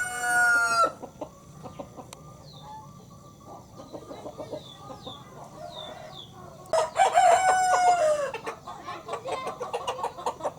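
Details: Village broiler rooster kept as a breeding male crowing: end of one crow, a quiet stretch with distant chirping birds, then a loud, hoarse, prolonged crow sliding slightly downward at the end.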